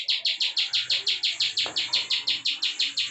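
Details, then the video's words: Prinia 'klik' song from a highly active bar-winged prinia kept as a tutor for cage birds, evenly spaced high, dry clicks about three per second, with a brief low thump midway. "CIWAH PRENJAK KLIK PALING GACOR NGEBREN COCOK BUAT MASTERAN [ciblek sawah]"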